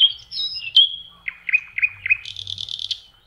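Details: Spring song of a common nightingale by a lake in May: a pure whistle, then a series of five rising-falling notes and a rapid buzzy rattle, all high-pitched.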